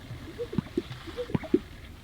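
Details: Greater sage-grouse display, made by inflating chest air sacs: two deep, hollow pops in quick succession, twice over, each set led by a short whistled note, with faint water-like gurgling in the background.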